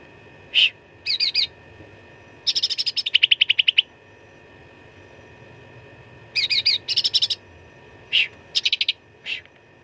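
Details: Cucak ranting, Black-headed Bulbul, in busy fighting song ('suara tarung full isian') meant as a master for contest birds: sharp single chips, buzzy bursts and a long rapid rattling trill, then more clipped phrases, over a faint steady hum.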